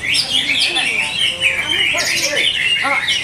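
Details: Greater green leafbird (cucak hijau) at a bird singing contest in Bekasi, Indonesia, singing a loud, fast run of high whistles, slurred notes and trills, with sliding phrases and lower voices mixed in.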